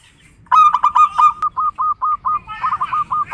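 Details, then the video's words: Zebra dove (local perkutut) master song used as a lure to prompt other doves to answer: a quick burst of clipped cooing notes, then a steadier run of longer, even coos about every quarter second, over faint hum. "Suara Masteran Perkutut Lokal"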